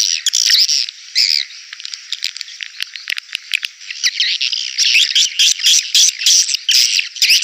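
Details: Swiftlet calls played to draw swiftlets into a busy bird house: dense rattling chatter of high buzzy chirps, louder bursts at the start and end, quieter twitters in between.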